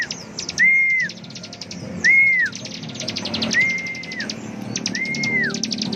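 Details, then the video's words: Bar-winged prinia singing at full power: four level whistled notes spaced about one to one and a half seconds apart, separated by quick bursts of high, clipped trill notes over a low background hum. "Dasyatnya Ciblek gacor NGEBREN suara penuh emosi tembakan full power"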